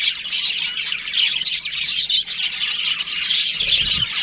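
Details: Colony of budgerigars during breeding season, busy high-pitched twittering and short squeaky whistles overlapping constantly, a soft low knock near the end.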